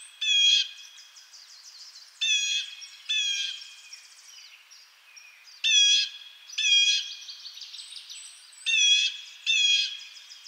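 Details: Blue jay calling repeatedly: coarse, nasal, buzzy notes mostly delivered in pairs every couple of seconds, set against faint high-pitched chirps and whistles of other birds.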